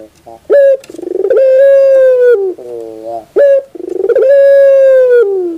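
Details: Training song of a Barbary dove: a sharp short note, then a long sustained tonal coo that starts with a rapid pulsing onset, a lower rolling buzzy section, and the pattern repeats.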